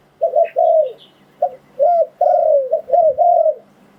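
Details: Spotted dove decoy call for attracting wild doves: clean, low coos in a short series of rounded notes that rise and fall, with the last ones stretched and ending lower, and little background noise.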